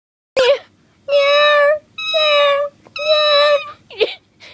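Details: Cockatiel imitating a cat's meow: three drawn-out, nasal, level mews, each lasting about half a second, with a short squawk before them and a faint chirp after them, recorded indoors.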